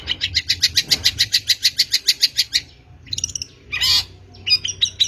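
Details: Long-tailed shrike lure recording used to draw in shrikes: a fast run of about fifteen evenly spaced sharp chips, then a harsh rasping burst and a few squeaky notes.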